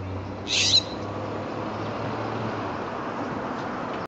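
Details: One short, rasping screech from a jay clutching a peanut at Devon and Pleasant Hill Road on 20 January 2014, followed by several seconds of quiet hum and low background noise.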